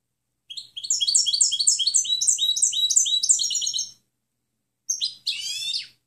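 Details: Clean European goldfinch song for training other birds: a brisk run of repeated tinkling, downslurred notes lasting about three seconds, a pause, then a short twitter and a harsh, buzzy nasal phrase.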